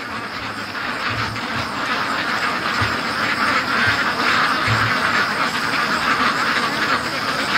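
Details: Hundreds of free-range ducks on their daily rush home from the lake, raising a constant overlapping chorus of quacks, rapid and irregular, with scattered low knocks in the background.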